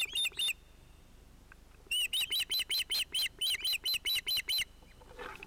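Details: At a Finnish osprey nest on 31 July 2018, where a chick interrupts the adult pair, an osprey gives two sharp, high whistled chirps, then after a pause a rapid run of about a dozen more, each slightly downslurred, over faint hiss.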